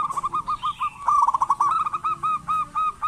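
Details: Local zebra dove singing steadily, used as a lure to prompt lazy doves to call: rapid runs of short, hollow, bubbling coo notes at a mid pitch, rolling almost continuously, with faint higher chirps from other birds.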